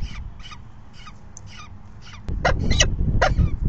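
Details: Falcon at the nest begging during the 4:40 PM feeding on May 9, 2020, the fifth that day. Evenly spaced hoarse chirps give way to louder, shriller cries as a low thump and rumble rise midway.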